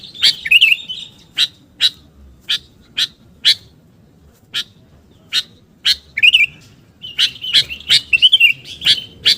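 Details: Sooty-headed bulbul calling lively, recorded for luring birds. Sharp, clicking chip notes come at irregular intervals, broken by brief bubbly, warbled phrases near the start, the middle and the end.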